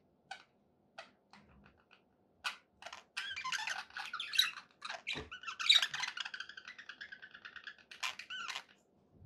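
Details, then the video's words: Budgie sounds described as happy: a few isolated clicks and squeaks, then a sustained nasal warble with stacked, wavering tones and chirps, from a pet bird indoors. "happy budgie sounds"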